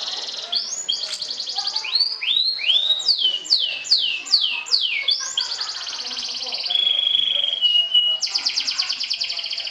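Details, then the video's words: Atlantic canary, a champion trilling to provoke and conquer rivals: high buzzy trills, then a series of loud downward-sweeping whistles about every half second, a steady level whistled note, and another rapid trill. "SUARA KENARI SOBEK SOBEK JUARA NGETRIL TAKLUKAN LAWAN, PANCING EMOSI!!!"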